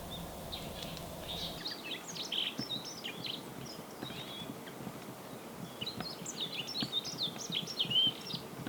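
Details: Male yellow-throated bunting singing in winter at Ina, Nagano, Japan, where it winters in small flocks in open woods and parks; bursts of short high chirps and twittering notes come in two clusters over steady background noise.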